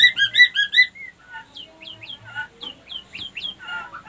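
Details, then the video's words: White-rumped shama lure call meant to bring on breeding condition in less-receptive females, making them droop and solicit mating; a quick burst of loud chattering repeated notes, then clear whistles and downslurred phrases, with a faint low hum underneath. "pancingan murai batu betina kurang birahi auto naik birahi ngleper minta kawin"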